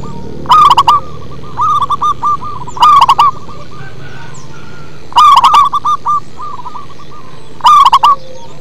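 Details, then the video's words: Local zebra dove cooing in a deep, bass-toned manggung style: short phrases of clipped, staccato coos, each opening with a loud overdriven burst and followed by softer trailing notes, repeated about every two to three seconds. "Perkutut lokal manggung ngebas"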